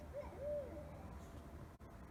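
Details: Owl hooting at 3 a.m. in a town suburb, heard through open windows at night: two mellow low hoots, a short one then a longer rounded one, followed by quiet background hiss.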